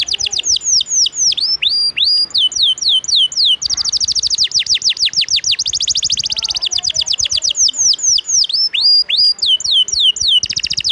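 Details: Canary singing steadily for teaching other birds, with chains of clear downward-swept whistles alternating with fast, rattling high trills throughout.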